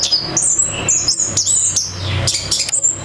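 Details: Orange-headed thrush giving long, thin high whistles broken by sharp clicking accents, the phrases gliding slightly downward, with a soft low hum beneath.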